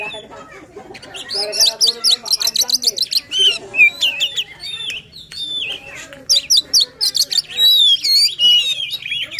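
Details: Oriental magpie-robin in fervent 'gacor' song to spur a quiet bird: quick rhythmic chattering notes build into looping whistles and sharp trills, repeated in fast pulses.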